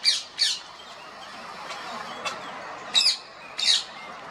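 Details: Wild rose-ringed parakeets feeding on tree branches in winter near homes and gardens; loud harsh squawks given in pairs, with a quiet gap of steady background hiss between them.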